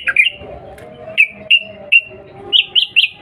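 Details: Sooty-headed bulbul lure call: a quick double note, then single clear whistled chirps roughly every half second, closing with three higher rising notes.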